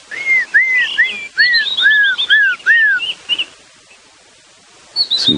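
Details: At dawn on a morning safari drive at Djuma Game Reserve, South Africa, on 11 December 2015, an African grey hornbill gives a run of about seven plaintive, down-slurred whistles, roughly two per second, amid higher twittering of the dawn chorus.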